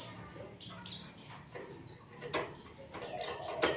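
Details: Ngalas-style white-eye song used as a lure for caged birds: quick series of very high, sharply falling chirps roughly every third of a second, with rattling clicks and a soft low hum underneath.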